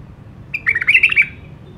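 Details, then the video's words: One brief melodious phrase from a White-eared bulbul: a sharp whistled start followed by a tumbling run of bubbly, slightly rising notes lasting under a second. "تغريد بلبل مخلف 🥰 لسان نقي😄Iraqi nightingale tweet"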